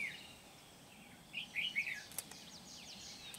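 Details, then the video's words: Red-whiskered bulbul decoy at a trapping site in Kim Bôi, 8 September 2019, delivering one brief cluster of bubbly whistled notes, followed by a sharp click and continuous hiss. "Bẫy chào mào Bổi Kim Bôi"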